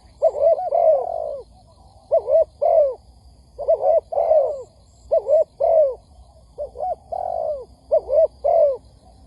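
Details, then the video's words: Spotted dove cooing, a lure recording for trapping, meant to excite doves into calling quickly; soft hollow coos in short clusters of two or three notes, each cluster repeated about every second and a half against a quiet background. "Tiếng Chim Cu Gáy kích bổi nhanh nổi"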